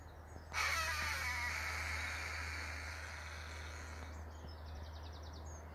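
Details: An escaped male Harris's hawk, a falconry bird living wild for years around a farm in the British countryside, gives its distinctive call: one long, harsh, grating scream over three seconds, over a low hum, then faint rapid ticking.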